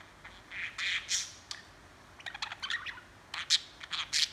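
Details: Budgerigar chatter: a few soft warbled notes at first, then a quick run of clicky chirps and tweets, ending with sharper high calls.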